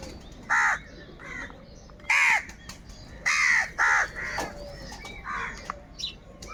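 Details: A rapid series of rasping crow caws during a fight over food, several loud calls in the first four seconds, some in quick pairs, fading into fainter background birds.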